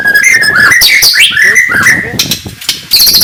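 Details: Oriental magpie-robin morning song used to provoke rivals: rapid varied whistles and slurs, then a buzzy rattling stretch.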